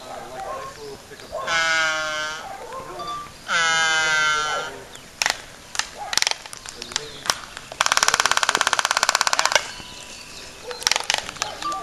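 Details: Laysan albatross in courtship dance at Princeville, Kauai, Hawaii: two loud, harmonic, nasal drawn-out calls about a second each, then scattered sharp clicks and a two-second burst of rapid, regular bill clattering, with light background noise.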